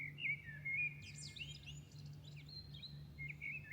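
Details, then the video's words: Night-time dawn birdsong in Milan: a bird pours out a fast, high, jumbled warble of twittering notes after a few sustained whistles. A constant low urban hum sits underneath. "Singing night Milano birds at dawn"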